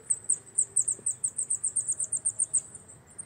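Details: Coal tit giving a fast, even series of very high, sharp notes, about five per second, each alike, with little other sound behind.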